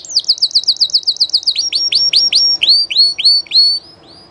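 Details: Spanish Llarguet canary song recorded live: a rapid rolling trill of descending notes gives way to slower, fuller swooping whistles at a steady pace, ending in a softer tail, high and ringing throughout.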